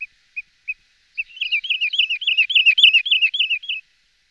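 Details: Wood sandpiper (Tringa glareola) calling: three clipped, high whistled notes, then a fast rolling series of wavering, slurred whistles, about four per second, with no other sounds.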